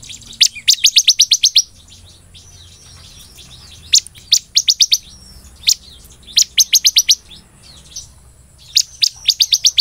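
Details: Ciblek (bar-winged prinia) repeating its 'belalang emas' song: rapid trains of about seven bright, high-pitched chirps, each followed by a pause of a second or two before the next train.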